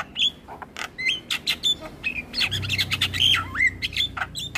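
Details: Javan myna singing in a training master recording: scratchy squawks mixed with slurred whistles that bend up and down, delivered in quick uneven bursts, with a low hum in the background.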